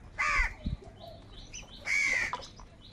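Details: Crows gathering in anger during a fight for food: two harsh, grating caws about one and a half seconds apart, a dull thump and soft chatter from other birds between them.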